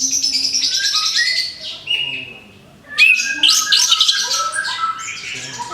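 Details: Freshly moulted orange-headed thrush giving a varied song of descending whistles and chattering trills, a quieter lull midway, then a loud burst of tangled high notes.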